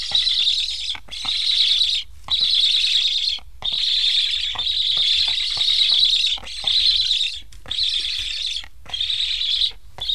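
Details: Estonian Black stork chicks fitted with transmitters beg insistently as parents return but leave without feeding. Regular series of raspy hissing bursts, each about a second, with short pauses and faint clicks throughout.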